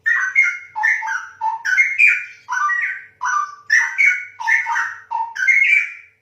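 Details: Straw-headed bulbul (cucak rowo) in full song: loud, mellow, gurgling whistled phrases tumbling up and down in pitch, delivered in about eight bursts in steady succession with short pauses between them, in a clean recording.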